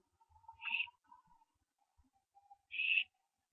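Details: Barn owlets on 15 September 2011 at 4 AM, branching: two short harsh hissing screeches about two seconds apart, with a faint thin whine and light shuffling.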